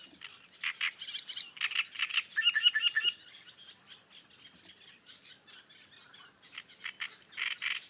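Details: Great reed warblers (Acrocephalus arundinaceus) chatting: loud, creaky chattering bursts with a short tinkling interlude, then a quieter stretch before the harsh rasping phrases return.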